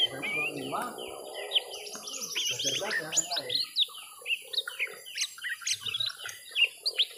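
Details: Young lesser green leafbird singing during a long fight with a rival, first round: dense bursts of sharp, high chirps and quick slurred notes, preceded by a brief low murmuring sound at the start.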